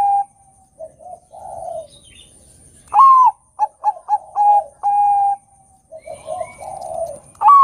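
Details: Zebra dove of the Bangkok type in full loud song, played as a lure to make other doves sing. Soft murmuring coos give way to a loud swooping note, four quick clipped notes and a long level coo, then soft cooing again before another loud note starts.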